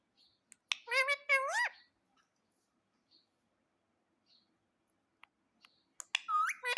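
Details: Pet parrot giving two drawn-out, rising harmonic squawks with faint clicks and chirps around them, then a quiet stretch and another burst of sharp squawks and upswept calls at the end.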